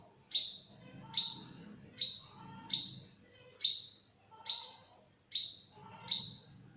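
An olive-backed sunbird gives a high, sharp chip about once a second, each note bright and slightly falling, over a faint low rumble.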